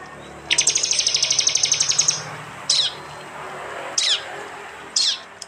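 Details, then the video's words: Prinia recorded with an Android phone in East Java for a training mix: one fast, high rattling trill of about one and a half seconds, followed by three short, separate sharp chirps spaced about a second apart. "masteran Tembakan prenjak jali keras"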